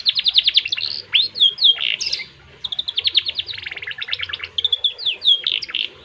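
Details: Canary in cengkok mewah song: quick bursts of sharp high trills broken by short pauses, swooping whistles and a rasping note, then fast rattling rolls, with a quiet low hum behind.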